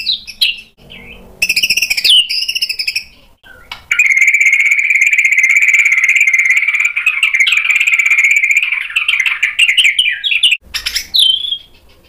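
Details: A white-rumped shama, incited to sing and show its imitated material, gives brief sweeping whistles, then a long continuous harsh buzzing rattle lasting about six seconds, ending with a rising slurred note.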